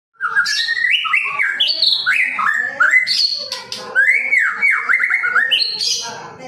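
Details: Male white-rumped shama singing a varied song full of surprising phrases: loud rich whistles sliding up and down, rapid trills and sharp high notes, continuous for several seconds.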